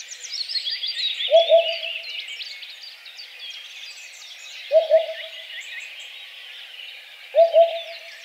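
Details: Eurasian Hoopoe delivering three hollow, low-pitched phrases of two or three soft notes each, spaced a few seconds apart, with a dense chorus of other singing birds above.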